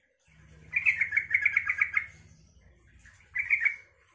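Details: Yellow-vented bulbul singing to draw replies from other bulbuls: a rapid bubbling run of liquid chattering notes lasting over a second, then a shorter gurgled phrase, over a low background hum.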